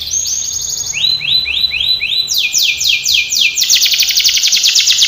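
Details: Training song of a canary: short high trill, a series of rising looped notes, then fast repeated downward sweeps building into a dense buzzy rattle.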